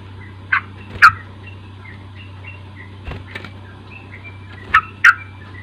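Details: Lure recording of a sooty-headed bulbul to coax an untrained young bird into song: short, sharp, slurred notes in pairs, spread across several seconds, with soft clicks between them. Faint background twittering and a constant low hum run throughout.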